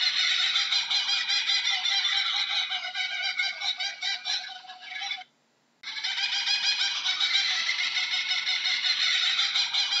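Kookaburra laughter: loud, raucous cackling and chattering that rolls on without pause. It breaks off abruptly for half a second, then resumes just as harsh and dense.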